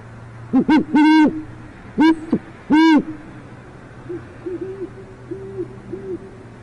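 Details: Great horned owl pair in an urban part of northwest Oklahoma City; the male tries again, no luck, the female heard not seen. Several loud raspy calls in quick succession, then a series of faint, soft, low hoots.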